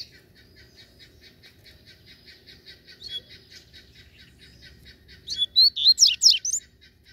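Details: Wild, free-flying double-collared seedeater (coleiro), called fierce and ready to fight, bursts into a fast jumble of high, sharp, slurred whistles after a steady ticking series of short faint clicks.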